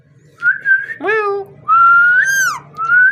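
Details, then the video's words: A parrot whistles a long, steady tone that bends downward at its end, with a brief rough falling call in between and a final rising whistle; quiet indoor hum underneath. "Amazing parrot so cute talking and voice"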